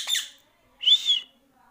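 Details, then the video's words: Pet Indian ringneck parrot whistling indoors: a short, bright, slightly wavering whistle of about half a second, preceded by a quick high chirp. Otherwise quiet. "सीटी बजाने वाला तोता । Indian Ringneck Parrot"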